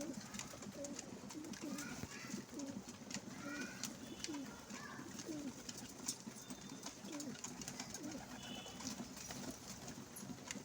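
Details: Several pigeons at a window coo in low, throaty rolling notes that overlap steadily, with faint higher chirps and a busy background hum.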